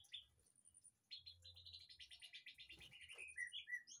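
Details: White-rumped shama kept in an aviary behind a house, singing a varied run of rapid whistled and chattering phrases around the upper register, notes repeated quickly, with a faint steady high hiss throughout.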